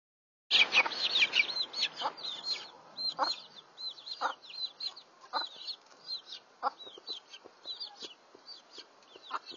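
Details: Australian pit game bantam chicks calling to their mother hen in the rain: a dense stream of high, thin peeping notes, many arched and overlapping, with soft low clucks and the patter of rain beneath.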